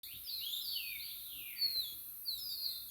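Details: Natural birdsong: a series of clear descending whistled slurs, each sweeping down in pitch, overlapping in a continuous flowing phrase over a steady background hiss.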